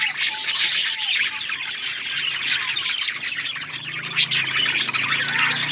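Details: Pet budgies in a flock, a continuous busy chatter of chirps, warbles and squawks layered over each other, with a faint low hum underneath.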